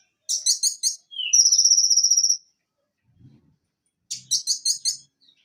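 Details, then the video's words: Van Hasselt's sunbird song, a recording used to coax songbirds into singing: clustered bursts of very high, sharp chips, then a short downslurred note and a sustained buzzy trill lasting about a second, with a faint low thump between phrases. "Masteran Konin Macet agar Cepat bunyi Kembali"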